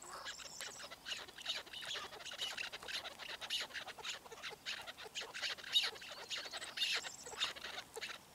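Chukar partridges give harsh, rapid chuck-chuck notes in dense, overlapping bursts, several each second, with a faint high squeak now and then.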